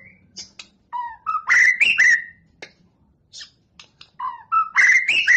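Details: Singing white-rumped shama readied for a contest, giving clear whistled notes that step upward in pitch, twice repeating a similar rising phrase with sharp clicks, divided by a quiet gap.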